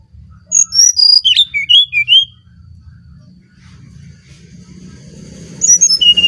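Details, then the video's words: Brown-chested jungle flycatcher from Bali singing as a lure: a quick descending string of clear whistles with a sharp twisted note in the middle, then a pause over low rumble before another high whistled phrase starts. "Burung Sikatan Rimba Dada Coklat Bali Gacor Nyuling Untuk Pancingan SRDC"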